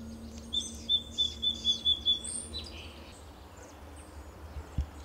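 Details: Song Sparrow in Del Monte Forest, California, in late June 2023, singing a loud, clanking song that scares a nearby American Robin: about six crisp, evenly spaced high notes, then a quick, higher buzzy flourish over a low steady hum.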